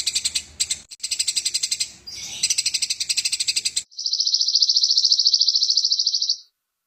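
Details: Fighting Eurasian tree sparrow, recorded as training material for songbirds: fast, dense runs of sharp chirps, then a sustained high buzzy trill lasting about two and a half seconds.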